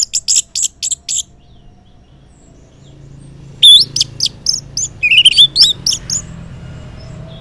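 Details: An orange-headed thrush sings ngeplong style in the morning as a lure to get quiet males answering: a string of six sharp notes, a pause, then a lively mix of rising whistles and quick chips.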